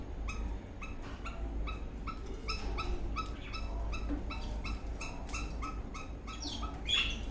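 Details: A dancing eastern rosella parrot, happy, repeats short ringing chirps at a steady pace, about two per second, ending in a rising whistled flourish; constant low hum behind.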